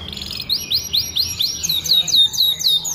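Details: Singing canary in full voice, a tutor recording for training other canaries: rapid bright trills of repeated high downslurred notes, about two per second, rolling into faster chattering runs, with a faint low hum beneath.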